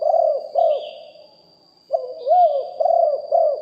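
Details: Spotted dove decoy with a big voice, recorded live. Two low, rounded coos are followed by a short pause and then four more arched, hooting notes. Faint higher chirps sound in the background.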